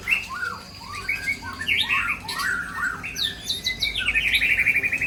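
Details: White-rumped shama from Aceh, Indonesia, in full mimicked song: run of arched chirping notes, then a fast rattling trill of rapid repeated buzzy notes to the end.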